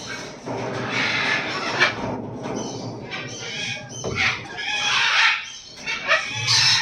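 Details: An eclectus parrot that has laid eggs gives loud, harsh, raspy squawks in a run of broad bursts about a second apart, over a faint low hum.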